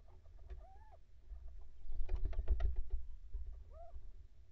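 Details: Little owls, a mating pair: two short arched mewing calls about three seconds apart. A low rumble runs underneath and a burst of rustling noise falls between them.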